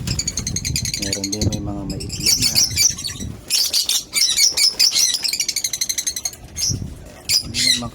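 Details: African lovebirds in a home-built colony: loud, rapid, harsh chattering and squeaky calls in dense overlapping bursts, with brief pauses and some low knocking or handling noises.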